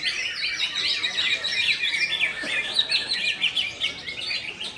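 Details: Konslet-style song of a greater green leafbird, a rapid tumbling run of sharp chirps and twittering slurs, loudness pulsing in quick bursts without pause for nearly five seconds.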